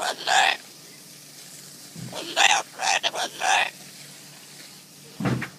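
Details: A hand-raised sulphur-crested cockatoo, scared of garden hose water, utters harsh, raspy, speech-like phrases in short bursts, with a quick cluster midway, against a quiet background.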